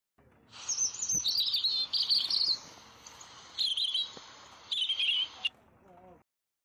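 A European robin sings high, thin warbling phrases, a sweet jumble of trills and twittering notes in bursts with brief pauses between them.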